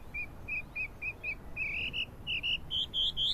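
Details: Chinese hwamei singing on 12 April 2009: short flat whistled notes repeated about twice a second, then longer, louder notes climbing step by step in pitch.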